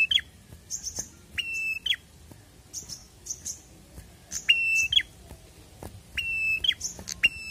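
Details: Prenjak, or prinia, singing energetically. Piercing doubled whistles alternate with thin high chirps in quick irregular bursts, and a soft murmur of background noise sits underneath.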